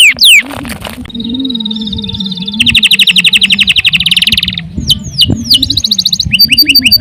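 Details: Canary in full, energetic song for training other birds: a sustained whistle, fast mechanical trills and sharp downward slurs, changing every second or two. There is a constant low droning hum.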